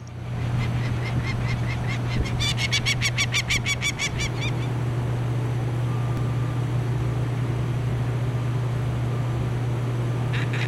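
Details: Female Peregrine falcon defending her nest, fiercely diving at a climber during chick banding on a Sheraton Hotel rooftop in Hamilton, Ontario, 2009, gives a harsh, rapid run of repeated notes for about four seconds over a steady low machinery hum.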